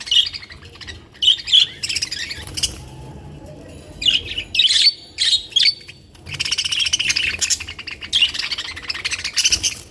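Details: Budgerigars, small long-tailed seed-eating parrots kept in captivity, chattering with bursts of high chirps and squawks, then a long, dense run of warbling chatter, over a low steady hum.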